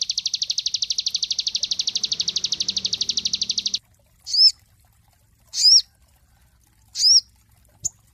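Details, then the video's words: Cinereous tit recording used as a master song for training songbirds: a long, fast, buzzy high rattle for almost four seconds, then three sharp, bright, upswept chirps about every 1.4 seconds, with a faint low hum beneath. "MASTER SOGON SUPER ISTIMEWA"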